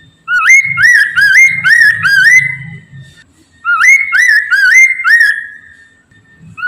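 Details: Vigorous Chinese Hwamei song, used to coax other poksay mandarin birds into singing: two bursts of four or five ringing, up-curling whistles, separated by about a second of quiet, with a soft low thumping underneath.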